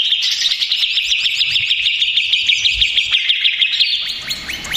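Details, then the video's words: Agitated male greater green leafbird in lure recording meant to make other birds respond: fast, steady stream of sharp high chirps, roughly three notes a second, in a dense continuous trill that fades slightly at the end. "SUARA CUCAK IJO RIBUT !!! CUCAK IJO STRES, MACET BUNYI, CAK IJO BAHAN LANGSUNG NYAUT BOCORRR."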